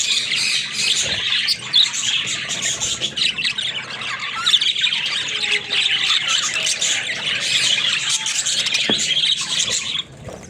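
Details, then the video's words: Companion budgies chatter in a thick, high-pitched twittering mass with scattered squawks, running steadily before cutting off abruptly near the end. "Funny Talking Budgies"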